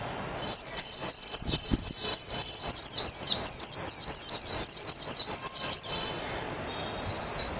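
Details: Japanese white-eye (mejiro) singing: a long rapid jumble of high, thin twittering notes, closely spaced and slurred, running for about five seconds before a short pause and a brief resumption.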